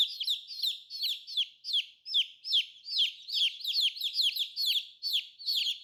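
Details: A group of colorful new chicks keeps up loud, nonstop peeping, with high, falling cheeps repeated several times a second throughout and no other sounds.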